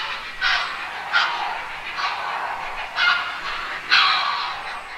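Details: Grey heron: a series of grating, squawking calls. Five prominent harsh bursts rise above a continuous hoarse background chatter.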